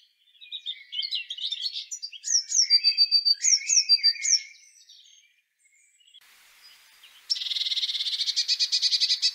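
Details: Eurasian blue tit song phrases: sharp high notes dropping into quick trills, repeated three times amid mixed twittering of other birds. A dense, buzzy, rapidly pulsing sound of another singer takes over near the end.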